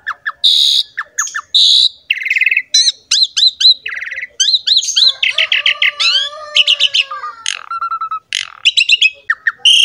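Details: Asian pied starling singing as a lure to provoke other birds: a fast, varied medley of sharp chirps, buzzy bursts, clicking rattles and short whistled slurs, with some lower drawn-out whistles near the middle.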